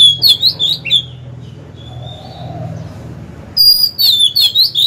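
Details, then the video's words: Oriental magpie-robin kept as a decoy, singing to lure rivals to fight; lively whistled phrases of looping up-and-down notes, a pause with one soft drawn-out whistle, then another energetic burst over a low hum. "Chòe than mồi hót hay quá!"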